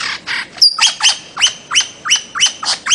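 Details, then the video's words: Loud, harsh, evenly repeated notes from a bird-of-paradise, tied to Papua and the Aru Islands, Maluku, come about three per second with a sharp upward start, after two buzzy notes and one thin high whistle. "kicau burung cendrawasih"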